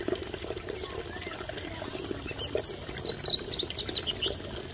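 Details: Masked wagtail at Mahodand Lake giving quick, thin, high chirps in a loose run over about three seconds, above the steady rush of flowing water.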